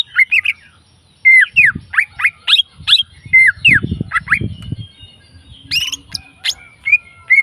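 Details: Leafbird singing wild, a string of bright, slurred whistles, some rising and some falling, followed by high squeaky notes, with a low rumbling noise heard in the background midway through.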